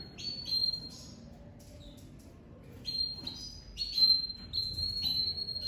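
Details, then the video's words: Singing domestic canary, crested and pied ('lavandeira de topete'), coming out of moult: high steady whistled notes and short rolls, with a quiet gap of about two seconds mid-phrase. "Canário doméstico lavandeira de topete saindo de muda e cantando muito forte"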